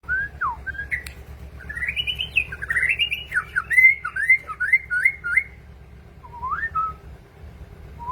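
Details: Tame sooty-headed bulbul singing actively: bright whistled phrases, a rising note, then a run of quick looping, warbled whistles around the middle, ending with short rising whistles; low steady hum underneath.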